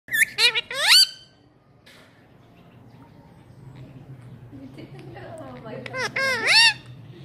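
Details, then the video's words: Caged parrot at a home trying to speak to a visitor: short harmonic, speech-like bursts with sliding pitch in the first second, a quiet room-noise lull, then another voiced, wavering phrase near the end. "Parrot Talking Like Human | Bird trying to speak"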